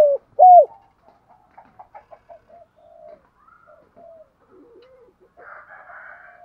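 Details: Decoy spotted dove used to draw in wild doves: two loud, short, low coos open the phrase, followed by soft clicking notes and quiet, drawn-out murmured coos.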